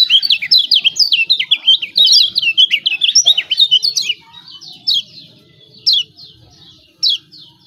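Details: Lemon-bellied white-eye from Lombok, lure for birds that won't sing: about four seconds of fast excited high twittering, then spaced sharp 'ciak' chips every second or so.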